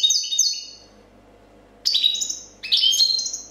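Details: European goldfinch, a 2014 competition champion, in clean copia song: a bright twittering phrase fades out, a pause follows, then two more quick, sharply rising bursts of high, tinkling notes.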